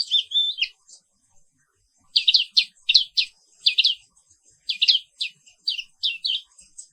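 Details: Pleci Papua wiklus, the black-capped white-eye, in morning song: a short warbled opening, a brief pause, then clusters of crisp high chirps repeated in a steady stutter.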